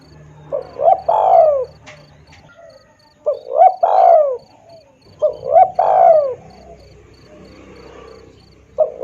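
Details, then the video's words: Spotted dove call used for luring birds: three phrases of two or three coos each, the last note of each longer and falling, spaced a few seconds apart, with low hum and a faint steady high tone. "suara pikat tekukur|SUARA BURUNG TEKUKUR"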